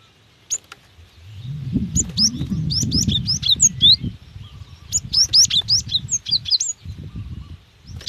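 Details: Female cinereous tit calling to a male, meant to lure wild birds into calling: long, rapid strings of high, sharp chirps in two main bouts, with low rumbling noise underneath.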